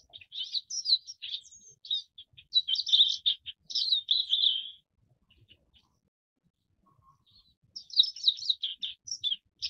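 Forest wagtail giving high, rapid twittering chirps in two bursts of several seconds each, separated by a brief pause, with a quiet background.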